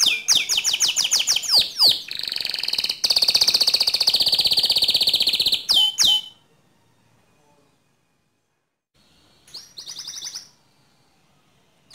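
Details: Canary singing to rouse another canary: fast high trills and a long buzzy rolling phrase for six seconds, a pause of near silence, then a short rolling burst.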